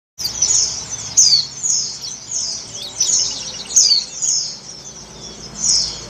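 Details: Female Oriental white-eye in breeding condition calling to the male: high, thin, descending chirps and tweets, in quick bursts of several notes, roughly every second, with faint low background hum.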